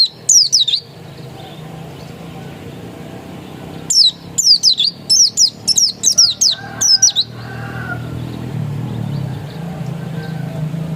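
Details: Oriental white-eye (pleci dakun), described as still original, gives one brief burst of high, falling whistles, then a long silence, then a fast string of similar sharp notes, before a quiet stretch with low hum.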